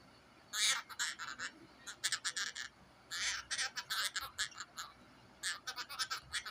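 Cockatiel giving rapid, harsh chattering notes in quick bursts during mating.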